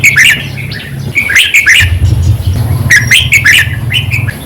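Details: Red-whiskered bulbul song used to stir up caged birds: loud, cheery warbled phrases with rising and falling whistles, several in quick succession, with a low hum behind.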